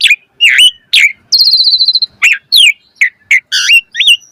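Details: Asian pied starling mompa-variation song for tutoring birds: chirpy whistled notes rising and falling, a fast rattling buzzy trill in the middle, then more bright twisted whistles.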